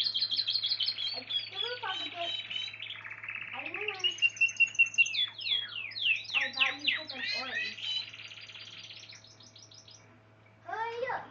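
A Spanish Timbrado canary sings a long, bright run of rapid trills, chips and sweeping whistled notes, changing phrase every second or two, over a low steady hum.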